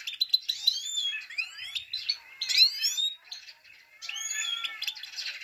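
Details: Female Himalayan goldfinch giving the 'pit pit tak' call meant to excite males: bright, high twittering bursts with rising and falling whistled notes, in three clusters separated by short pauses.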